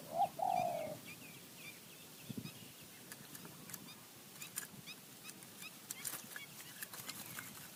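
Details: Wild spotted dove in Thai mountain forest utters a single brief hoarse phrase, a short note and a longer burry coo, at the very start, then quiet with scattered clicks and faint twittering of other birds.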